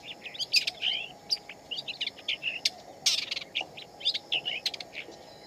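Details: Wild shama delivering a busy, continuous song of varied whistles, slurs and sharp accented notes packed closely together, with one harsh noisy burst near the middle and steady hum beneath.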